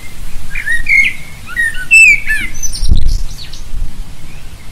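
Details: Common blackbird song outdoors: a run of rich, fluty whistled notes with short twittering flourishes, over a low rustling background and a brief thump midway.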